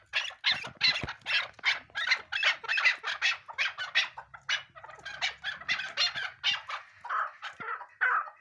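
A chukar partridge gives a fast run of harsh, clucking notes, about two or three per second, loud and steady with a few squawkier notes near the end.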